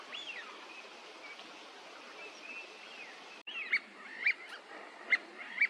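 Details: Eurasian teal in a park pond at Junsai-ike, Chiba, Japan, February, wintering birds: short high whistled notes, fainter in the first half, then sharper clipped whistles about every half second.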